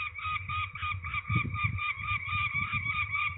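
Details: Peregrine falcons handled for ringing at Trzebież, Poland, on 13 May 2019 utter continuous harsh, nasal notes about four per second over prominent low rumbling noise.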